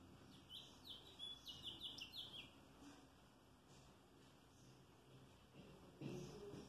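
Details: House finch recorded 3 May 2022 sings a quick, jumbled warble of bright, varied notes for about two seconds, followed by quiet background noise and a low thump near the end.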